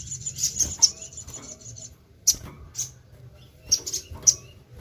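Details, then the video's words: Actively singing sogon (crimson sunbird), recorded as a lure; a thin, very high sustained trill for nearly two seconds, then scattered sharp single chirps spaced about half a second to a second apart, with faint low rumble behind. "BURUNG SOGON GACOR#PANCINGAN SUARA BURUNG SOGOK ONTONG"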